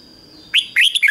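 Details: Decoy red-whiskered bulbul calling wild birds with 'ché' singing: a single short phrase of clear, sliding, chirpy whistles, with a faint constant high tone in the background.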